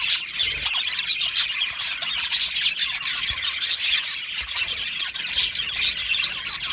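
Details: Happy budgerigars in an aviary give a mix of high chirps, squeaky whistles and rapid chatter, many birds calling at once without a break.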